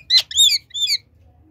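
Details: Pet Indian ringneck parakeet said to speak Urdu/Hindi, indoors: three quick squawky, word-like syllables in under a second, the first sharp and the next two longer with buzzy wavering tones, then quiet.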